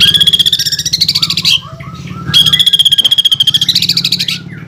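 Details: Caged greater green leafbird in full rolling song: two long bursts of rapid, buzzy, pulsing trills held around a high pitch, each about one and a half seconds, with a short gap of softer chirps between them and a low hum underneath.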